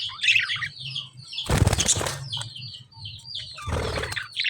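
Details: Lovebirds chirping with quick high twittering notes, broken by two loud bursts of wing flapping or rustling, with a low hum underneath.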